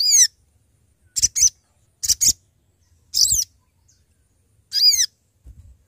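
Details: Sooty-headed bulbul, a male in lively voice, calling to companions, used as a trapping lure: five short, bright, harmonic chirps with sharp downward sweeps, in separate bursts about a second apart, with near silence between them.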